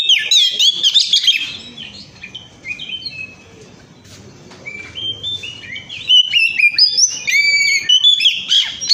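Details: Oriental magpie-robin song played as a lure for other birds: bright, varied whistled phrases and rapid slurred notes, pausing briefly in the middle before resuming with loud, fast, rising and falling whistles.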